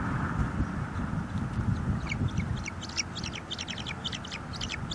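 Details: Bald eagles at a nest in northeast Florida on 23 March 2022, filmed by live nest cam as an adult brings a big fish and two eaglets feed. High, thin chittering notes in quick uneven bursts over steady low wind rumble.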